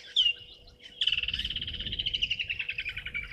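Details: Juvenile martial eagle perched in a tree across Gowrie dam, Djuma Game Reserve, Sabi Sand, South Africa, 2 May 2023 at 16:07: a sharp high whistle, then a long run of rapid pulsed whistled notes slowly falling in pitch.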